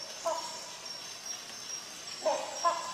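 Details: Rhinoceros hornbill giving three harsh, resonant honks: one early, then a close pair near the end, with a continuous insect whine behind.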